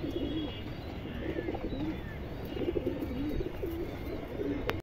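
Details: A mated pair of silver domestic pigeons, a female and a male, give low, soft, rolling coos repeated in short bursts over a steady background hum.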